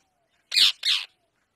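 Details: Pet Indian parrot gives two harsh, raspy squawks in quick succession, each about half a second long and high-pitched, with quiet between them.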